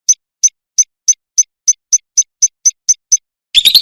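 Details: Lovebird used as training audio to prompt a caged bird to answer: a steady series of short, high, sharp chirps about three per second, ending in a burst of harsh, noisy chatter.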